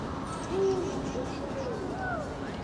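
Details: Eurasian eagle-owl recorded on 16 February 2023, giving a single short, low, even hoot just over half a second in, against a steady background hum with faint higher sounds.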